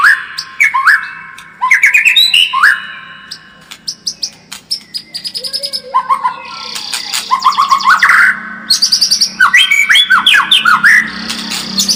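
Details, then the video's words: White-rumped shama singing a varied song played to make another bird more combative: loud whistled phrases with sharp upslurs and downslurs, rapid chattering bursts and trills, some buzzy notes, recorded cleanly with a faint low hum. "SUARA PANCINGAN MURAI BATU AGAR MENTAL SEMAKIN FIGHTER"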